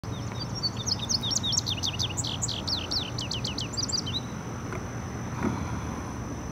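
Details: Male Indigo Bunting singing in the background along Sugarland Run Stream Valley Trail, Herndon, Virginia, on June 29, 2015: a quick run of high, sweet paired notes sweeping downward over about three seconds, over a steady thin whine and low outdoor rumble.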